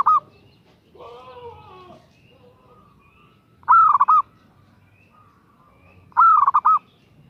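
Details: Female zebra dove calling a male, giving a long-then-stuttering phrase at the start and two more a couple of seconds apart. Another descending, harmonic bird sound appears in between.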